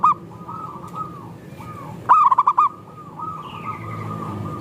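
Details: Zebra dove cooing meant to prompt other doves: one sharp phrase of five or six rapid pulsed notes ending in a held coo, amid softer repeated coos and a faint descending chirp.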